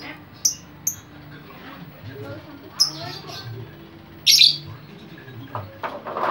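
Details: Chatty lovebird calling to attract other lovebirds: a few isolated sharp chirps, then a loud rasping squawk, followed by scattered softer notes over a steady low hum.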